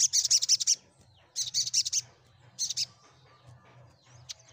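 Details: Sunbird chattering to provoke mute birds into singing: three bursts of quick, high staccato notes, each about a second long, followed by quieter faint chips.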